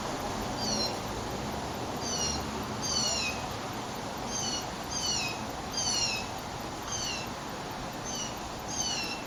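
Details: Several blue jays (Cyanocitta cristata) give harsh, downslurred 'jeer' calls in quick overlapping bursts about every second, over a steady low background rumble.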